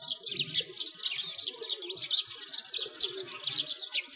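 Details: Wintertime sparrows gathered at a frozen lake in Moscow's Bratislavsky Park, Russia: a thick, unbroken tangle of bright, sharp chirps from many birds at once, with faint low background noise.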